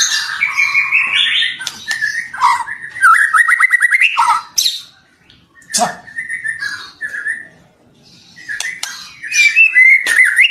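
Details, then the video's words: Captive white-rumped shama song used for training birds: loud, varied whistled phrases, rapid trills and sharp squawky notes with short pauses between bursts. "MASTERAN MURAY BATU 2024"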